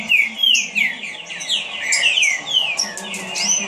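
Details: Caged green-winged saltator showing off its fast song: rapid run of loud, slurred whistles sliding downward, overlapped by high thin chirps from other birds and a low steady hum.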